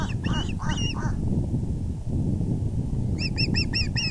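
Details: Two short bursts of osprey calls, a few slurred chirps and then five crisp, ringing whistles, with a quiet gap between. Recorded at the VGCC nest at 6:30pm EDT on April 6, 2020, as the male brought a big fish.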